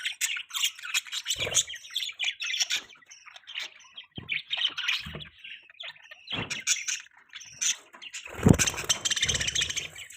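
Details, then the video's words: Several budgies chirping over ten seconds, a steady tangle of warbled chatter and short squeaky notes, with occasional low knocks and a louder burst near the end. "Budgie chirping sound|Budgies chirping sounds|Budgie bird sound|Budgies Sounds"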